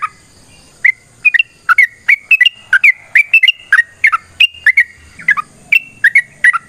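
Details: Sooty-headed bulbul singing a long, rapid fighting song, used as a lure to make other bulbuls answer: short bubbly whistled notes bouncing between mid and higher pitch, about two per second, over a faint steady high whine.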